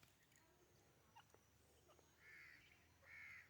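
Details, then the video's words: White francolin: two loud, harsh, hoarse notes about a second apart, each lasting roughly half a second, over quiet background with faint ticks. "White francolin voice"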